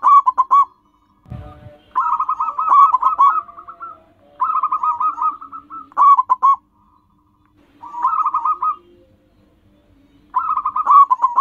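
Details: Local zebra dove song, used for luring and calling in wild birds: bursts of rapid, soft, clipped cooing notes in phrases about a second long, separated by pauses, over a faint steady low hum, with a brief thump early.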